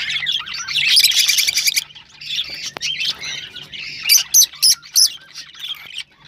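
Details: Chattering rosellas, played to encourage mating: dense high twittering with a rapid pulsed burst early on, then a pause and several sharp separate chips near the end.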